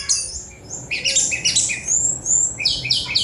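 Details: A Sunda robin pours out dense, scratchy high notes and squeaky whistled slurs in a continuous tumbling phrase, with hardly any pause, against a quiet low hum.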